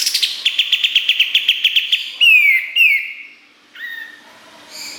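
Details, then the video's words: Master song of kapas tembak (striated heleia) for tutoring songbirds: a quick series of repeated chips, then two loud descending slurred whistles and a softer falling note. "Masteran Kapas Tembak Gacor Nembak Isian Tajam Full"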